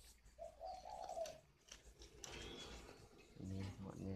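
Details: A wild-caught spotted dove decoy in Ba Vì, Vietnam, gives one soft, wavering coo phrase. A man's voice and handling noise follow.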